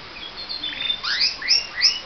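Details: Pet canary's morning song: soft twittering followed by three quick rising whistled sweeps, each about a quarter second apart.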